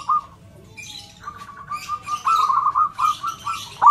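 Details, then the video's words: Perkutut, zebra doves calling back and forth as a lure for shy singers: a string of soft beaded coos that grows into louder trilled phrases and ends with a sharp rising note. "Perkutut suara besar PULEN"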